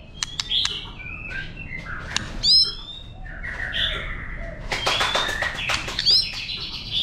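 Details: White-rumped shama wild-style song played to stimulate birds: varied whistled phrases mixed with sharp clicks and scratchy notes, busy and overlapping, with a couple of bright upslurred whistles.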